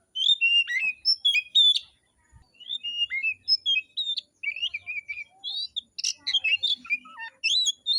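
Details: Afternoon song of a forest-caught oriental magpie-robin in full fighting mode: fast, varied whistled phrases mixing clear slides, trills and scratchy notes, almost without pause, with one faint low knock early on.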